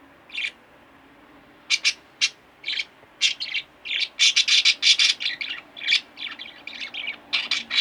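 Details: Two pet budgerigars indoors chirp and chatter, starting with spaced sharp notes and building into a dense, fast run of bright, squawky calls.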